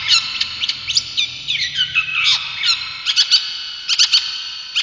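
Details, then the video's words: Brown shrike, kept as a cage bird for its mimicry, delivering scattered bright chirps, a falling slurred whistle in the middle, then clusters of sharp high notes. "Masteran Burung Cendet ! Pentet Durasi Panjang Buat Masteran"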